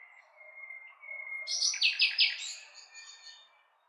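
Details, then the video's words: Nightingale opening with long, quiet whistled notes, then a loud, fast series of repeated rattling notes that trails off into softer whistles. "Cantec de privighetoare - Nightingale's song"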